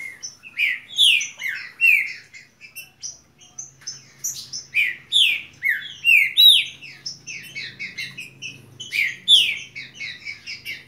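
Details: Saffron finch singing continuously: bright, slurred whistled notes sweeping down, delivered in quick bursts with short pauses, some higher chipping notes layered in, in a quiet indoor setting.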